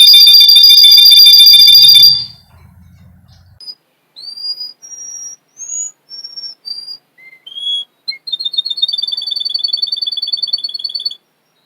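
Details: Russian canary, male singer from a Miami, Florida breeder, on a training recording: a loud buzzy trill for two seconds, then single clear whistled notes stepping up and down, ending with a fine rapid pulsed trill.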